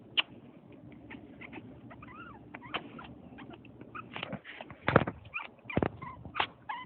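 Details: A pet African grey parrot indoors imitates a puppy to wake its owner, giving thin whining whimpers that rise and fall, mixed with sharp clicks, taps and short squeaky notes in a quiet room.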